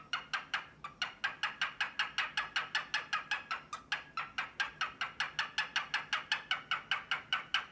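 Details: Courting grey male cockatiel displaying to a sleepy white female: quick, evenly repeated clicking 'ka-ka-ka' notes, roughly two to three per second, continuing throughout.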